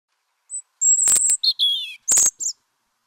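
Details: European Robin singing in winter, when both males and females sing to defend winter feeding territories: a wistful, plaintive high phrase of thin sustained whistles, quick trills and descending slurred notes, with brief pauses between.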